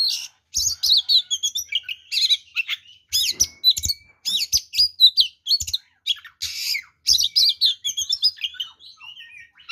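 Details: Aggressive fighting song of an oriental magpie-robin, full of fills and meant to provoke other males: dense bursts of scratchy warbles, squeaky notes and clear whistles, broken by brief pauses, with faint low knocks.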